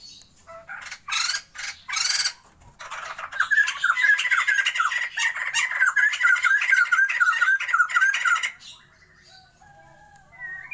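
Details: White-crested laughingthrush pair in captivity for breeding, Sumatra. A few harsh squawking bursts open, then comes a long rapid run of repeated whistled chatter lasting about five seconds before softer notes.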